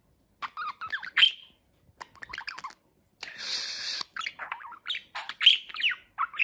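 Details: A pet talking budgerigar, freshly moulted and grown fat, chatters in clusters of quick chirps and squeaky warbles. A harsh hissing burst around the middle breaks up the bursts, and the chatter resumes afterwards.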